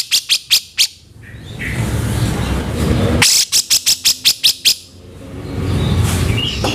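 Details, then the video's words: Grey-cheeked bulbul (cucak jenggot) giving rough kasaran vocals intended for training songbirds: four quick raspy notes, a pause filled with low noise, then a second burst of about seven harsh notes. "masteran terbaik pencetak suara kasaran dan speed //cucak jenggot"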